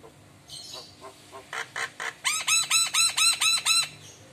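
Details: ['Javan myna singing energetically, head nodding in reaction to lure calls from another myna. Scattered rasping notes speed up into a steady train of about ten loud, ringing, upswept whistles, repeated rapidly.']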